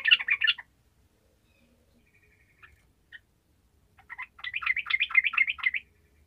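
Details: Energetic gacor song of a sooty-headed bulbul, played to get lazy bulbuls singing: a short bubbly burst, a quiet gap with a few soft chirps, then a longer run of rapid, chattering warbled notes.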